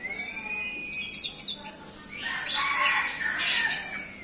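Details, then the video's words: Orange-headed thrush singing in a varied, rich phrase: a long thin whistle rising near the start, then bursts of high chirps and warbled notes tumbling together. "Anis merah doyong teler"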